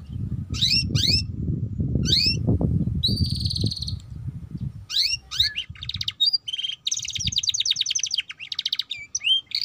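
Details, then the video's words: Young canary learning to sing, its song rich in chattering trills: rapid rising sweeps, buzzy rattles and clear whistled notes at high pitch, set against a steady low rumble of background noise during the first half. "Pancingan Kenari Paud Cepat Bunyi || Cocok Untuk Kenari Paud Belajar Bunyi Ngeriwik"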